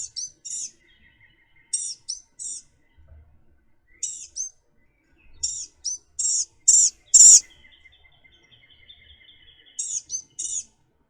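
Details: Blue-gray Gnatcatcher, the earliest expected fall migrant into the Florida Keys, gives very high, thin, wheezy notes in quick clusters of two or three, repeated in bursts, with a faint steady high tone behind.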